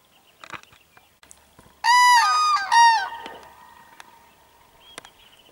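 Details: On 21 April 2015, cranes confront and command a dog with a loud burst of rich, trumpeting calls, three or four bugled notes over about a second, against a quiet background with faint scattered clicks.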